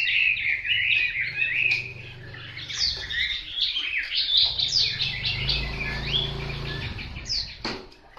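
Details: Hwamei song of rapid whistled phrases and sharp slurred notes, over a low droning hum in the background and a few clicks.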